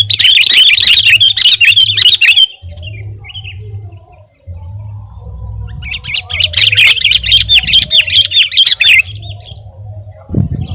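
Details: Sooty-headed bulbul singing actively, used as a training and lure recording for kept birds: two long bursts of dense, rapid, buzzy chattering notes, with a steady low hum underneath throughout.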